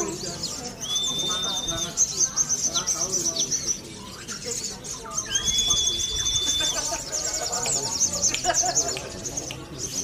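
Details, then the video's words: Sunda leafbird kept for song contests, its song filled with ciblek (prinia) material: two long flat whistles held about a second each, set among dense high chattering trills, with some voices behind. "SOGON MATERI CIBLEK"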